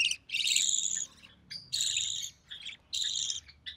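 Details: Recessive pied budgerigar nestling from an early June 2020 brood, fed by its albino red-eyed mother, gives drawn-out rasping notes with a shrill, nasal edge, three main bursts with softer scraps between.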